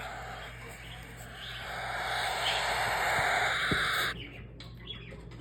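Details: Hungry cockatiel chicks begging as food is about to be given, a continuous raspy, hissing chorus held for about four seconds before stopping abruptly, with faint background noise.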